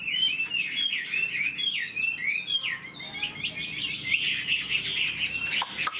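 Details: Old wild-caught caged Chinese hwamei singing rapidly: looping, slurred whistles rising and falling, then a dense burst of quick, bright warbled notes near the end.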